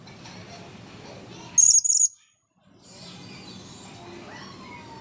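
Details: After drying off from bathing, a blue-crowned hanging parrot lets out two quick piercing high-pitched squeals back to back, followed by a brief silence and low background hum.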